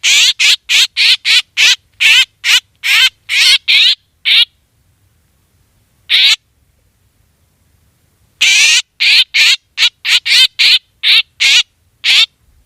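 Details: Black drongo calls as a hunting lure: a rattling series of short harsh squawks, a long silence broken by one note, then another quick chain of rasping calls.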